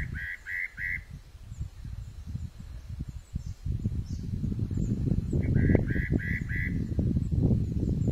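Spot-breasted parrotbill giving short bursts of three to four quick, clear whistled notes, over a steady low rumble of wind or handling noise.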